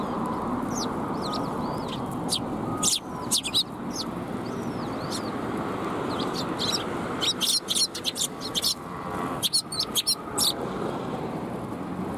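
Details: Sparrows gathering to be fed at a Tenmangu shrine, afternoon, 18 March 2021; quick high chirps come in scattered clusters, with several birds calling and background traffic hum throughout.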